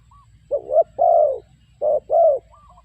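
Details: Spotted dove call used to lure birds for trapping: a short note then a long drawn coo, repeated as a second pair, low and hollow, with faint higher whistled notes at the edges.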